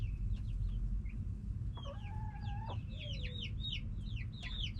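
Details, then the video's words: Backyard chickens, hens and roosters, calling: a longer sustained nasal note in the middle, then a rapid series of curved chirping clucks from several birds, over a steady low rumble. "Back yard chickens making noise🐓 Relaxing sounds of hens and roosters"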